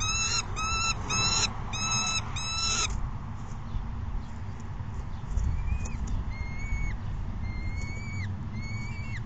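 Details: Young peregrine falcon demanding food from its mother at the perch, May 2016: a run of five loud harsh screams at the start, followed after a pause by thinner, drawn-out wailing calls that dip at the end, over low rumble.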